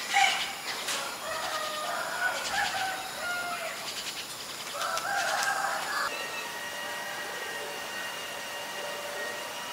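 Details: Common myna recorded in Ubon Ratchathani, Thailand, on 8 May 2022 with a Nikon P1000: harsh, gurgling notes with ringing harmonic tones and rapid clicking bursts in the first six seconds, then quieter background hum.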